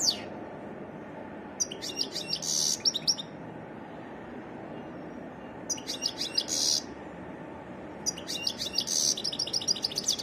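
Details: Wild European goldfinch singing a varied song: three bursts of fast, high twittering and tinkling notes separated by pauses, over a steady low background rumble.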